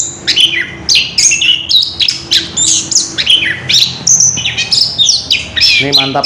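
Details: Ngerol-style song of an orange-headed thrush, a rapid rolling stream of shrill whistles, trills and downslurred notes, with a man's voice briefly heard at the very end.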